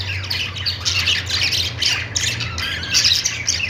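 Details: Budgerigars giving continuous, loud, grating squawks and chatter with little pause, over a constant low-pitched hum.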